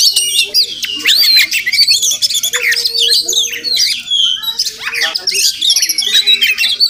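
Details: Oriental magpie-robin (Murai Kampung), wild, calling near a home where it may be nesting: varied high whistles, upslurs and chattering bursts delivered in lively, overlapping phrases.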